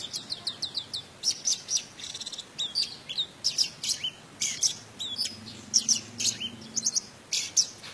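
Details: Orange-headed thrush from Indonesia in teler style with a rich fill, played as a lure to rouse other thrushes to sing. It gives a rapid stream of high, sharp chirps and bright whistled notes, with steep downslurs, in quick bursts throughout.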